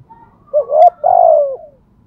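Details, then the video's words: Decoy spotted dove giving a single thúc gù bài lối phrase: a brief rising coo then a longer, steady, slowly falling coo, clear and low-pitched in quiet surroundings. "Thúc gù bài lối | Cu gáy mồi bài bản"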